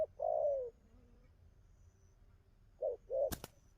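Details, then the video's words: Wild-caught spotted dove cooing well: one long low coo, a pause, then two shorter coos, followed by sharp loud clicks or knocks near the end. "Thổ tơ bài hay gù tốt"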